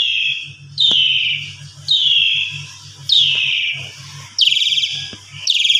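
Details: Asian pied starling provocation lure: rasping falling squeals about a second apart, ending in brighter buzzy bursts, over a steady low hum with a few clicks.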